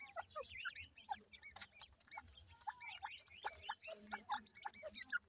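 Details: Chicks of the grey francolin in Punjab, Pakistan, uttering clear upslurred cheeps in rapid bursts, several birds overlapping, with occasional loud clicks and low hum.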